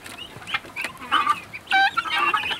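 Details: Guineafowl on their first outing outside give scattered harsh, nasal calls, with a loud burst of ringing harmonic notes in the middle and a busy chatter of overlapping calls at the end.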